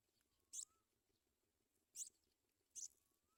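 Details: At the nest, a Sprague's pipit brings food to its young. Three brief, piercing high notes, spaced roughly a second apart, over a quiet background with a faint, gently rising thin whistle.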